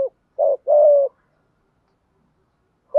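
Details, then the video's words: A spotted dove in 'thúc gù' style gives a brief, low double coo: a short burred note, then a longer even coo. Silence follows, and the start of another note is cut off at the end. "chim cu gáy thúc gù bài bản giọng hay"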